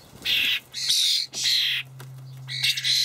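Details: Young starlings (Sturnus vulgaris) being fed by adults in a Hamburg allotment on 28 May 2012: three long, harsh rasping screams, each about half a second, then a rougher burst of calling over a low electrical hum.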